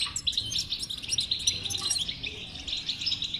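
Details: Song of a European goldfinch, used to get a silent goldfinch singing; a fast continuous twitter of chirps and trills with sharp high notes in the first half.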